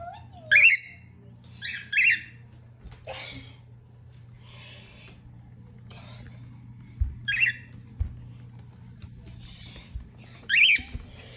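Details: Angry cockatiel, a pet parrot, making short sharp harsh squawks in separate bursts, with long quiet gaps between calls and a faint steady hum indoors.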